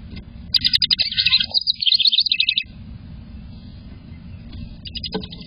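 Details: A house wren, recorded 30 April 2024 while catching a snack, sings one rapid, bubbling burst of high chattering notes lasting about two seconds, then starts another, over a low rumbling background.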